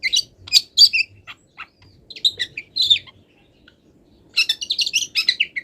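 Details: Long-tailed shrike from the wild, still moulting, giving a mimicry-filled song. Loud squeaky chirps open the phrase, a near-silent pause follows, then a final burst of rapid, sharp, high twittering.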